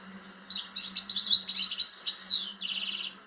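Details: European goldfinch singing a lively, jumbled phrase of high twitters and slurred notes that ends in a quick buzzy trill, with a low hum in the background.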